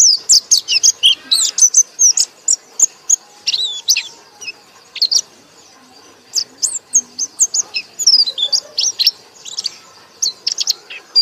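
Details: White-eye singing loudly with high, fast twittering chirps and sharp slurred notes in irregular bursts, brief pauses between phrases, and a faint low hum underneath.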